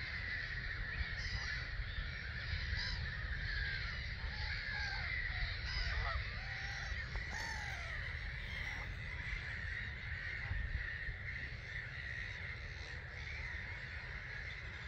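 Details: About 250,000 starlings streaming off their roost at 05:45 on a March morning in 2022, Gibraltar Point NNR. A roaring, many-voiced chorus of chirps and whistles, with some distinct rising and falling squeaks poking through, over constant low wind noise.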